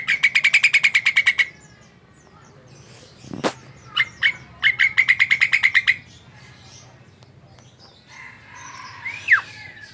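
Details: Javan myna song used to provoke other mynas: rapid buzzy trills of evenly pulsed notes, a sharp click, more stuttering trills, then a faint whistle rising and falling near the end.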